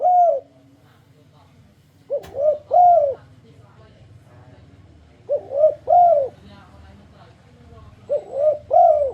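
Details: Tekukur, or spotted dove, singing a luring song meant to draw other doves into singing: three-part cooing phrases, two quick soft notes then a drawn-out rounded coo, repeated with gaps of a few seconds over faint background hum.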